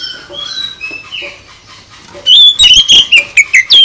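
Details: Oriental magpie-robin song used to provoke other birds into answering: faint thin whistles at first, then a loud burst of rapid, varied whistled notes and sharp chips over the last second and a half.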